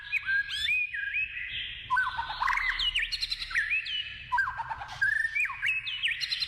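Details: White-rumped shama in the wild singing a continuous, melodious stream of looping whistled notes, rising and falling slurs and quick flourishes with no pauses.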